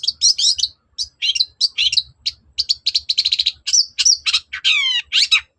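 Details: Long-tailed shrike pouring out a non-stop lure song for provoking answers: quick chattering and chirping notes with little rest, a clear high whistle, then a descending series of falling slurred notes and squeaks.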